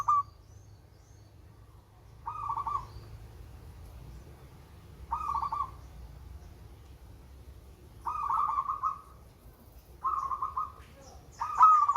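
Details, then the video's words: Zebra dove of local stock with a melodious voice, used to coax quiet birds into calling. Short trilled coo phrases about every two to three seconds, six in all, over a quiet background. "Perkutut LOKAL SUARA MERDU"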